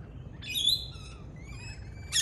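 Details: Native Australian lorikeet parrot calls: a bright, shrill screech, then thinner whistled notes drifting upward, and a sudden harsh squeal at the end, over faint low hum.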